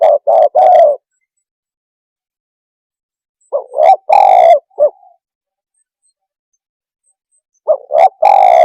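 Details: Spotted dove calling to agitate other birds: low rolling coo phrases of short notes and a long burry coo, repeated after pauses of about three seconds.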